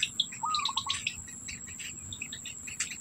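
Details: Black bittern feeding its young, food held in the bill. Early on, one sharp rising note slides into a clipped series of quick pulses. Many bright bird chirps and a continuous high insect drone surround it.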